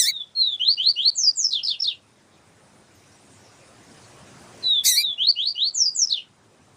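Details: Yellow-bellied seedeater singing the siu siu style, a tutor recording with a female calling to excite the bird. Two high phrases of rapid slurred whistled notes, each about 1.5 seconds long, separated by a pause of several seconds.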